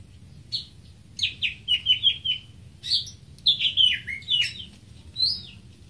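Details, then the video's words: Song of the greater green leafbird, a species of Brunei, Indonesia, Malaysia, Myanmar, Singapore and Thailand: quick series of falling slurred whistles in bouncy groups of three to five, with mimic-like variety and brief gaps. "Greater Green Leafbird (Bird Singing 74)"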